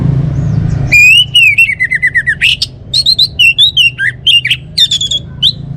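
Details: Orange-headed thrush song, a loud varied run of clear whistled notes, slurred warbles and sharp chirps delivered rapidly and almost continuously after a brief low hum at the start.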